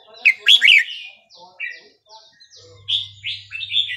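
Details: Red-whiskered bulbul singing in the Burmese regional style (3-4-5-6), played to teach young birds: loud rich warbled phrase near the start, then softer slurred notes and a final bright rolling phrase. A low steady hum runs underneath.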